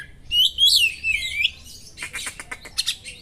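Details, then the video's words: Oriental magpie-robin, sharp small-bird song material intended to excite a magpie-robin: a long, wavering, high whistled phrase that rises and falls, followed by a fast series of short, clicking chips. "suara burung kacer materi tajam burung2 kecil,mengungah emosi kacer"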